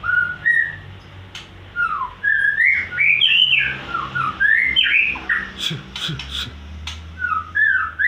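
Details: White-rumped shama in full song, mixing rich whistled slurs and rising-falling notes with a few harsher squawky notes, phrases repeating rapidly against a quiet background with faint low hum.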